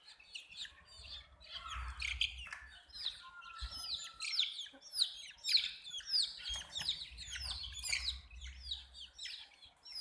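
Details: Many hen chicks peeping together in a dense chorus of high, downward-sliding chirps, overlapping and repeated nearly twice a second, with a few soft low thumps and handling noises beneath.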